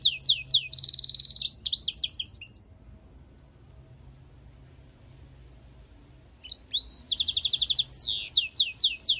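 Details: Song of a goldfinch × canary mule: fast, high trilled phrases with a buzzy roll and falling slurs, several seconds of quiet, then a rising whistle and renewed rapid trilling.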